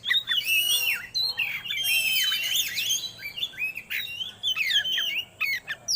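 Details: Magpie-robin song played to stir birds into breeding condition, loud sweet whistles mixed with scratchy rasping notes and quick warbled runs over a steady low background hiss.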